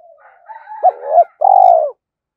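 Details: Decoy spotted dove in daily training, cooing to provoke wild males; soft murmuring notes lead into a wavering double coo and a long, gently falling final coo, with a faint higher tone beneath.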